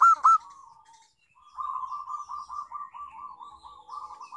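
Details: Local zebra dove song used as a lure for other doves: a loud paired note opens, then a long wavering purring trill of soft, rapidly repeated coos continues steadily.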